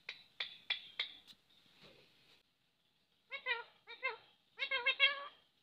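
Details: Four sharp clicks or taps, a faint murmur, then a talking parrot speaks three clear harmonic phrases, the last a quick run of syllables.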